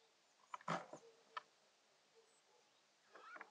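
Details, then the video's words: Eurasian jay in a chatty mood in late January, giving a few harsh, rasping bursts, a loud cluster followed by a single note, then a scratchy chattering run at the end, with quiet between. "Eurasian Jay making strange sounds"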